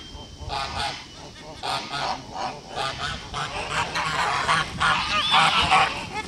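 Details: On a farm on 21 August 2018, a blue Kholmogory gander hatched in 2016 honks repeatedly, with rough nasal calls coming roughly three per second and growing louder toward the end.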